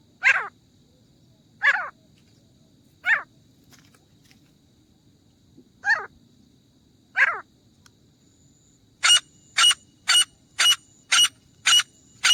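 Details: Grey francolin (teetar) calling, used for hunting: five harsh, slurred notes at irregular gaps of one to two seconds, then a quick run of seven sharp, clipped, high notes.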